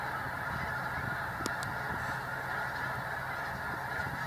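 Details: A very agitated flock of snow geese at Sacramento National Wildlife Refuge produces a dense, unbroken din of overlapping honking calls, with no single voice standing out from the steady roar.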